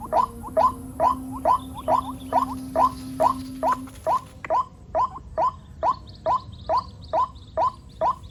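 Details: In the rainy season with many chicks around, a white-breasted waterhen repeats some nineteen short upslurred notes steadily; a constant low tone and high hiss fill the first half, then fade.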